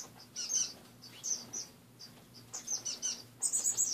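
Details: Caged finches kept as pets, recorded in the morning: spaced high chirps at first, then quicker bursts of twittering toward the end, over a faint electrical hum.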